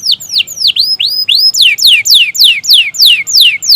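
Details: Gacor canary song used to stimulate canaries that are hard to get singing: loud, clear V-shaped whistles, then a regular series of bright, steeply descending slurs repeated about every quarter second.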